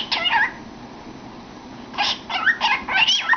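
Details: Pet cockatiel chattering inside a cardboard tube: a brief warbled note, a pause, then several quick rising and falling chirps run together.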